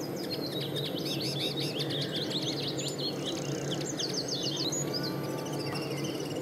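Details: Common linnet song: a rapid, continuous, high twittering run of chirps and trills, pausing briefly, then resuming in a shorter jumbled burst over a steady low hum.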